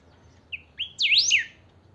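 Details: Single song phrase from a kept saffron finch (chiviro): a soft whistled note, a rising slur, then a loud, bright cascade of steep V-shaped whistled sweeps that falls away.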